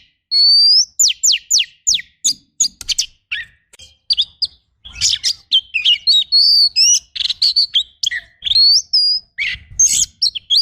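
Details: Oriental magpie-robin in a rough 'tembakan' training recording: a rising whistle, a quick series of steep downslurred notes, then a long, dense stream of varied high chirps, whistles and buzzy phrases.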